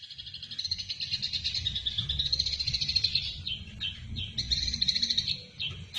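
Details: Eurasian tree sparrow in fighting form, a recording used to train other songbirds: a long run of rapid, chattering chirps repeated several times a second, with a short break before the chatter resumes, over a low background hum.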